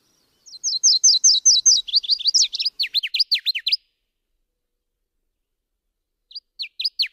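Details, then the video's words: Subalpine warbler (Sylvia cantillans) singing a rapid, scratchy warble. A run of about fifteen quick high notes lasts three seconds, with the later notes sharply down-slurred. After a pause, a short burst of similar notes follows. No other sounds. "Canto da AveToutinegra carrasqueira (Sylvia cantillans)"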